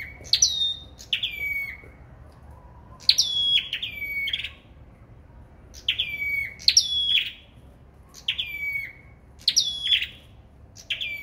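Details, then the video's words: A sâu đầu đỏ in competitive singing: repeated pairs of phrases, each a high flicked note followed by a sustained whistle that steps down, delivered in steady bursts. "Sâu Đầu Đỏ Hót Đấu"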